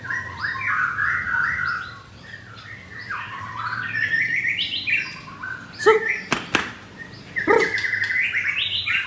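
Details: Captive white-rumped shama, mottled 'blorok' type, answering a rival at 9 a.m. on Thursday 19 May: long runs of varied clear whistles and slurred phrases, broken by sharp clicks and knocking sounds, with a faint background hum.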